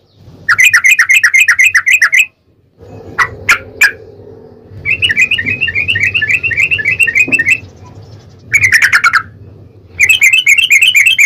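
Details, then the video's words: Yellow-vented bulbul singing long "ropel" bursts meant as a lure to get another bird to answer. Loud, rapid, chattering, bubbly phrases come in several runs, broken by a few sharp high chips, over a steady low background hum. "trucukan gacor TARUNG ROPEL PANJANG pancingan trucukan agar bunyi"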